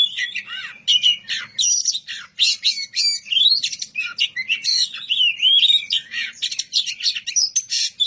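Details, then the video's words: White-rumped shama, kacer, singing a lively mix of clear rising and falling whistles and buzzy, chattering notes in quick succession, with a soft low hum in the background. "Kicau merdu suara kacer ngeplong memanggil lawan, kacer apasaja langsung nyaut bunyi gacor!"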